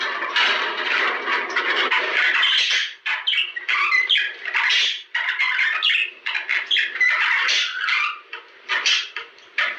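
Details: Budgerigar courtship warble used to trigger mating, harsh squawky chatter mixed with short whistled notes and chirps, in bursts separated by brief quiet spells.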